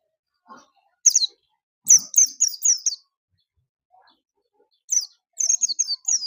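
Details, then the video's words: Oriental white-eye song made of clusters of sharp, high chirps, four or five notes delivered rapidly in each burst and separated by short silences. "burung pleci bustomi"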